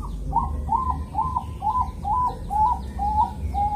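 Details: Zebra dove singing in a calm rhythm in the morning in Kediri, East Java, used to lure other zebra doves into singing; a series of short soft coos, about two per second, ending in a longer held note over low background rumble.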